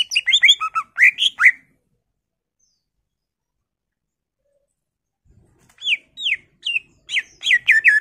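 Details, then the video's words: Cucak ijo (greater green leafbird) in continuous full-isian song: a quick tumble of chirps and whistles, a long silent stretch, then a fresh run of rising slurred notes. "PANCINGAN CUCAK IJO GACOR FULL ISIAN/ CUCAK IJO Gacor"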